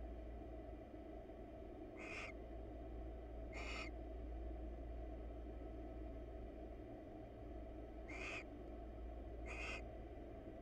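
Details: Wild barn owl pair in a monitored nest box preening each other's feathers; four short, softer hissed rasps in two pairs separated by a long quiet stretch, over constant low hum.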